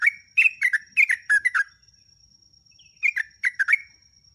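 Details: Sooty-headed bulbul song used as a lure to train captive birds: quick bubbly phrases of short whistled notes, falling and warbling, in two bursts with a pause between, over a faint steady high tone.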